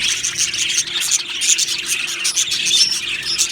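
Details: Happy Australian budgerigars in a colony aviary, many birds at once giving rapid scratchy chirps and little whistled squeaks, the chatter steady and loud throughout.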